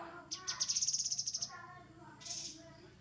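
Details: Grey-headed canary-flycatcher giving one high, bright trill of about a dozen evenly spaced pulses over roughly a second. A softer high note and low warbling tones follow.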